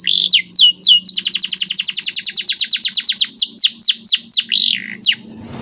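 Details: Canary, a white bird, delivering lively training song with special phrasing: a few looping whistles lead into a rapid even trill of descending notes that slows into drawn-out swoops.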